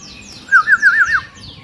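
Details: Long-tailed white-rumped shama, agitated, singing in the dense high 'tembakan' manner: a brief run of four or five wavering, looping whistled notes in quick succession.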